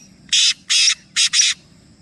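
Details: Black francolin, one of three birds, giving a harsh, rasping phrase of four broad grating notes, the last two pressed close together, over faint low background hum.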